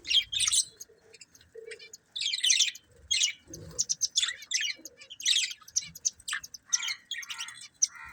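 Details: Budgerigar breeding pair chattering steadily, a dense run of high, buzzy, scratchy warbles and sharp chirps in rapid bursts, with a few softer low notes between them.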